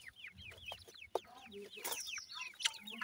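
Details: Quiet, steady stream of short, high, down-curving peeps from grey francolin chicks, with a few sharp clicks and a faint low hum.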